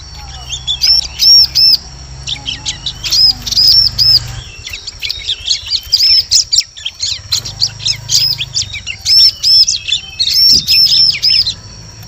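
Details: Ciblek lure call for attracting birds in forest: rapid bursts of high, arched chirping notes in quick series, broken by brief pauses, over a steady thin high tone and low rumble.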